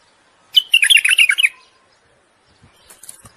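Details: Bulbul song given for mating and to rouse the female to breed: a single quick, bubbly warbling phrase lasting about a second, followed by quiet and a few faint clicks.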